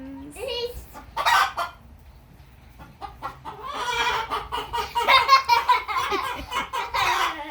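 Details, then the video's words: Chickens on a farm clucking in short, harsh bursts, several birds overlapping in a busy, irregular chatter that grows louder toward the end. "Clucking Chickens | Chickens Making Funny Noises"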